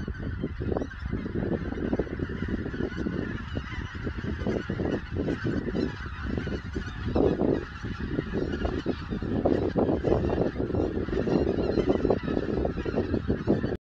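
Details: Wintering flock of geese in Dobrogea, south-east Romania, recorded on a phone in February 2022: a dense, unbroken roar of overlapping honks and cackles from many birds, loud throughout with no pauses.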